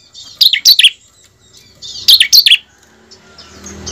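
Bar-winged prinia singing two quick bursts of three or four sharp, high, squeaky notes, about two seconds apart, over a faint hiss.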